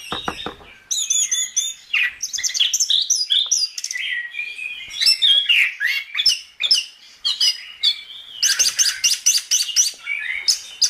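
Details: Anis kembang singing gacor-style in a recording meant to teach songbirds: rapid buzzy trills high up, then tumbling whistled phrases and repeated clear notes.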